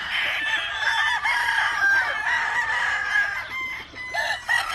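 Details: Several show and breeding gamefowl chickens on a farm in Hawaii crow and cluck at once, their harsh, overlapping calls filling the air.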